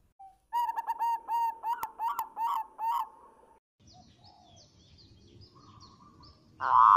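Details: Local zebra dove song, offered as a lure recording: a run of about eight rapid, even cooing notes repeated quickly, then a quiet stretch with faint calls and a sudden loud burst at the end.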